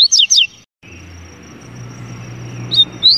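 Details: Song of a double-collared seedeater: two quick, complex whistled notes, a short quiet gap, then two more bright slurred whistles, with a thin continuous high tone in the background.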